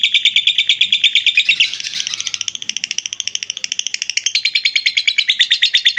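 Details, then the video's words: Lovebird pouring out ngekek chatter, recorded as master audio for teaching other birds: a rapid rattle of piercing buzzy notes, briefly blurring into a jumbled burst before resuming the even pulsing. "Love bird ngekek 10 menit"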